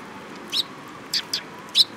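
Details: Four short, sharp high chirps, the middle two close together, from sparrows coming to be fed at Mizukami Bridge on 18 May 2021, against a quiet hiss.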